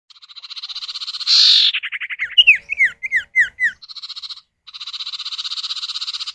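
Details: Common iora male and female answering each other, played as a lure to get other birds singing: a long, even, rapidly pulsed buzzy trill, a brief louder burst, then a run of about eight sharp descending whistled notes, and the trill again.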